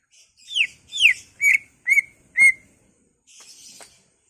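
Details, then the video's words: Isian-rich ngentrok song of a greater green leafbird, used to excite rival leafbirds. Two slurred downward whistles, then three short level whistled notes, fading into soft twittering. "BURUNG CUCAK IJO Bongkar Isian, ngentrok/ Pancingan Cucak Ijo merangsang emosi cucak ijo lain"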